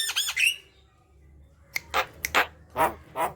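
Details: Javan myna sounds used to stir quiet mynas into song: a brief chirpy burst, a pause, then several loud, harsh, throaty squawks.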